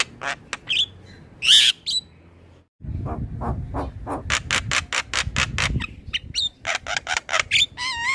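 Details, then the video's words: Male black-winged starling, used as a lure sound for training birds: harsh rasping notes in rapid irregular series, mixed with a few clear whistled upslurs. A low rumbling hum runs underneath. "Suara Jalak kebo Jantan Gacor"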